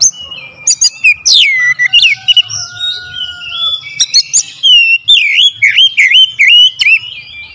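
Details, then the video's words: Oriental magpie-robin lure song, loud and sharp with 'tembakan' shots: rapid clicking notes, then long sweeping whistles and slurred falling-rising phrases in quick succession, faint low hum beneath. "PANCINGAN KACER POWER JELAS TEMBAKAN PEDAS"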